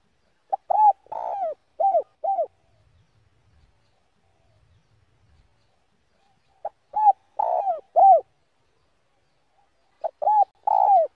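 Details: Spotted dove in slow 'giọng đồng' song, meant to provoke wild doves. Three well-spaced phrases of clipped coos and a burred middle note, separated by long quiet gaps.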